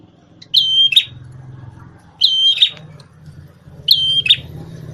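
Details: Prinia called prenjak tamu, red-headed and in full voice, repeats a bright thin whistle that ends in a short buzz. Three phrases arrive roughly every one and a half seconds over a steady low engine-like drone.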